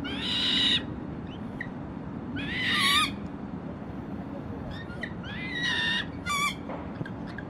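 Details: Juvenile American coots with a parent on Lake Merced, calling as they swim: drawn-out screechy wails alternating with brief high peeps, irregularly spaced, over continuous low-pitched background rumble.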